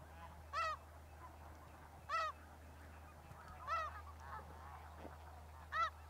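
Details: Sandhill crane on migration at Bosque del Apache Wildlife Refuge, New Mexico, in December, giving four separate loud, rich, rolling calls spaced about one and a half seconds apart over a faint background of distant birds.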